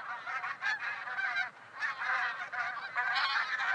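Geese honk almost without pause, nasal and brassy, with several birds overlapping in a noisy chorus of short calls.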